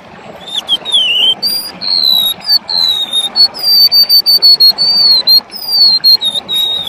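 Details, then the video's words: A golden-bellied gerygone in strong voice sings a thin, high, wavering whistled song of sliding notes rising and falling in a continuous run, recorded for training other birds, with faint background hiss. "Remetuk laut gacor"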